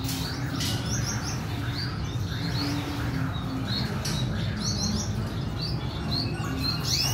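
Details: Red siskin mother with her chick, 14 April 2021. Busy high chirping throughout, with quick upward-sweeping tweets and brief buzzy bursts. A continuous low mechanical hum runs underneath.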